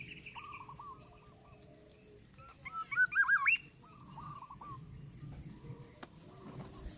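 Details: Three Greater Coucal chicks in a nest begging from a parent, which is overwhelmed and angry; a short burst of harsh, rising wavering calls in the middle, with fainter repeated chirpy notes before and after over low background noise.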